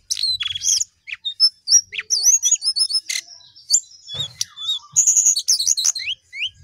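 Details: Sooty-headed bulbul in full song, delivering clean, loud, sharply separated whistled chirps and quick upslurs in an irregular rapid series, with near-silent background.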